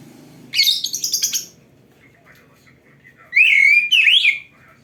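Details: Oriental magpie-robin (kacer) singing in energetic 'gacor' style, used to train other kacer: a harsh, buzzy chattering burst, a quiet pause, then two loud, rich whistled phrases with sweeping, rising notes.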